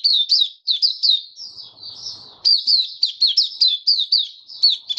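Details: White-eye kept in a cage singing openly on 23 March 2022, humid warm weather: rapid high sweeping notes in quick runs, a softer warbled stretch mid-clip, then a lively burst of chirps.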